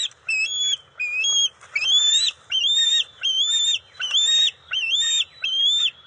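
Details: Juvenile bald eagles at the NCTC nest on June 29, 2021, during eel and fish deliveries: loud, high whistled calls, each rising then levelling, repeated in a steady series of about eight notes with short gaps.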